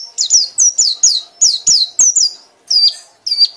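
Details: Loud ngekek singing by a white-eye, a steady run of about a dozen high, clear whistles, each dropping steeply in pitch, spaced closely at roughly four per second, with a faint background hum.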